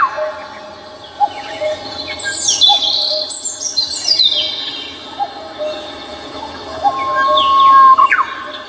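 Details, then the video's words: Several birds singing on Seoul's Namsan Mountain, overlapping high sweeping whistles and descending slurred notes, one long steady whistle late on, over constant low environmental noise. "The sound of birds singing on Namsan Mountain in Seoul 서울 남산 새들의 노래소리가"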